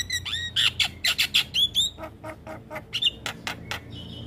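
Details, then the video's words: Tutor song of black-winged starling for young birds, full-fill style: a quick string of loud, chattering, sliding whistled notes about five per second, tapering into softer, sharp chips. "Masteran Jalak Kebo Full Isian Pas Buata Jalak Kebo Muda"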